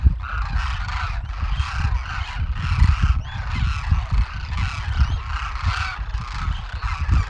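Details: Thousands of Demoiselle cranes wintering in Rajasthan, northern India, feeding on open fields near villages; a continuous wall of rasping, trumpeting calls from many birds, pulsing irregularly, with deep background rumble.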